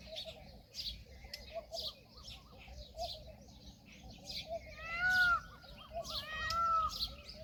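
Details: Indian peafowl, a peahen (female), giving a few loud, clear, drawn-out harmonic calls that arch slightly, clustered in the last seconds, over steady high chirping and twittering from small birds in the background.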